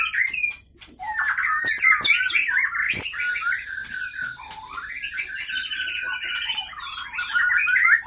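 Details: Caged white-rumped shama from Pining in Gayo Lues, Aceh, captured 2012-2015, singing while fighting; fast, sharp, jumbled whistles and rasping slurs, about three notes per second, with hissing noise and clicks in the middle.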